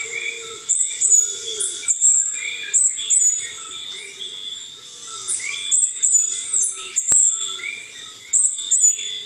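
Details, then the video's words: An endemic Puerto Rican Spindalis in the San Juan Bay Estuary, Puerto Rico, gives its very high-pitched call, which is hard to hear in forest: thin, very high notes in quick repeated bursts, with lower chirping from other birds beneath. "As you can see, the Puerto Rican spindalis has a very high-pitched call."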